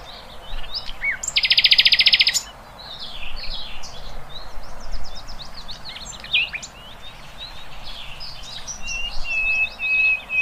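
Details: Wild birds in open country: a harsh buzzing rattle for about a second, then many quick high chirps from several birds, ending with a drawn-out whistled note.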